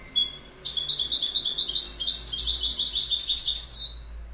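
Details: Goldfinch song: a rapid, tinkling twitter of high, liquid notes and buzzy trills running continuously for over three seconds, with a faint low hum in the background.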